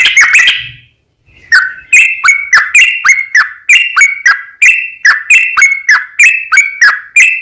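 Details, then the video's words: Sooty-headed bulbul singing vigorously to draw other bulbuls into song. A quick cluster of notes and a short silence, then steady two-part whistled phrases, each high note dropping to a lower one, repeated about every third of a second. "JADIKAN SUARA trucukan gacor ROPEL PANJANG pancingan trucukan agar bunyi burung trucuk gacor NYAUT"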